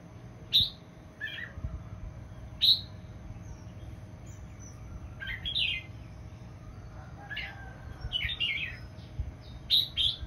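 A red-whiskered bulbul gives bright, sharp chirps and short liquid warbled phrases at irregular intervals, over a faint steady electrical hum.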